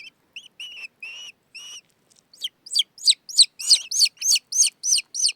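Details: In Afghanistan, a falcon chick raised alongside a steppe eagle chick begs during feeding with high, thin, insistent calls: a few level whines, then quick downslurred squeals about three per second.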